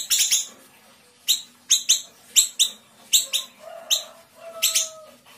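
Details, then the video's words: Small siri-siri of Sumatra, kept caged, delivering fast close-packed 'tembakan rapat' song used to master other birds: a quick triple chirp, then bright high notes in singles and doublets about every half second. "Siri-siri kecil gacor tembakan rapat"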